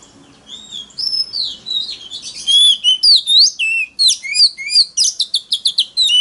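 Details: Oriental magpie-robin singing loud forest-voice style song, used as a lure to provoke rival birds into competitive singing; rich whistled phrases, rising and falling slurs and quick notes, rapid after a soft start, background quiet.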